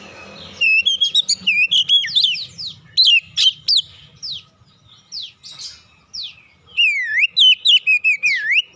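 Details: Magpie-robin lure song to draw other birds into singing: long varied stream of rich whistles, sharp slurred notes and quick repeated syllables, with short pauses between phrase bursts.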